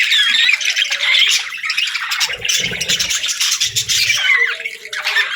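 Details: Pet budgerigars chirping: overlapping squeaky whistles, harsh scratchy notes and quick twitters, in constant lively chatter throughout.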